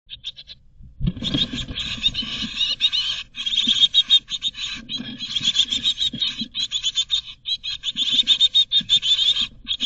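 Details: Great tit chicks in a nest box in Berlin, 2022, begging as a parent tries to feed a certain chick: dense, high, rapid hissing chatter repeated in pulsing bursts, with low thumps and rustling inside the box.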